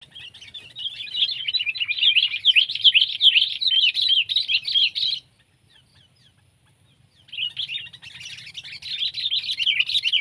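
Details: Sooty-headed bulbul from Indonesia, compared as pet and wild bird, singing a rapid bubbling chatter of mid-high notes for about five seconds, a two-second silence, then the chattering resumes.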